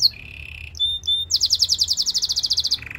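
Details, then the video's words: A Belgian singing canary opens with a steady high whistle and a few bright notes, then a fast ringing trill of about twelve notes a second before dropping to a lower trill. "A special canary to seduce all the canaries - The belgian singing canary"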